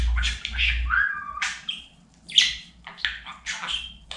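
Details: Talking budgerigar kept as a pet gives a short run of scratchy chatter with a drawn-out whistled note and sharp chirps, over a low rumbling indoor background.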